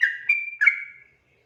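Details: Sooty-headed bulbul singing at night for use as a training recording: three linked whistles, low, then higher and held, then a fading falling slur, lasting about one second.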